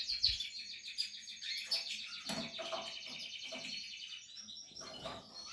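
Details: Portuguese harlequin canary during nesting, giving quieter high chirps and pulsed trills in short bursts, with faint low thumps and rustles in the background.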